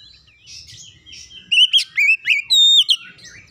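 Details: Oriental magpie-robin song used to prompt other birds into singing: quiet twittering, then a strong phrase of loud whistled notes with twisting slurs and one long sustained high whistle before it softens.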